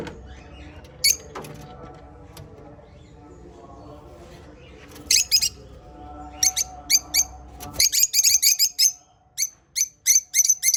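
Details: African lovebirds: a near-silent start with a faint background hum and a lone chirp, then sharp high chirps returning and building into a dense, rapid chatter during the final seconds.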